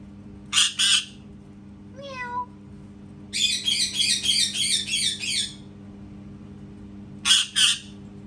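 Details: Pet parrot mimicking a cat: a doubled harsh squawk, a short falling meow-like whine, then a rapid two-second run of chattering squawks, and a final squawk pair.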